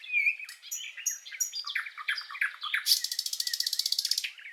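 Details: Common nightingale singing: varied whistled and warbled phrases rising and falling, then a fast, even run of about twenty loud repeated notes in the final second and a half.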